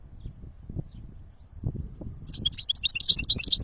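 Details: European goldfinch singing in nature: after a stretch of low rumbling background, a quick burst of high, tinkling, twittering notes begins and continues to the end.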